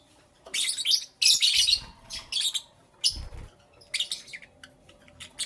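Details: Morning chirping from lovebirds: dense clusters of shrill, high-pitched chatter in loud bursts separated by short pauses, with fainter single chirps near the end and a soft low rumble beneath two of the bursts.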